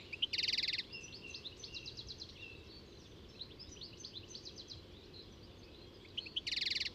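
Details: European goldfinch: a quiet, rapid twitter of thin high notes runs through the middle, bracketed by two louder, harsh, buzzy, nasal bursts at the start and end, against a soft natural background.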